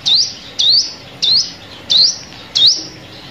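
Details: Rising, piercing sunbird notes meant as bait for lime-stick trapping, five of them evenly spaced roughly every 0.6 seconds, each a quick upward sweep.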